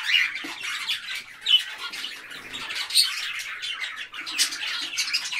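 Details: A flock of parakeets keeps up a steady mass of overlapping chirps and squeaky twitters, with no pauses.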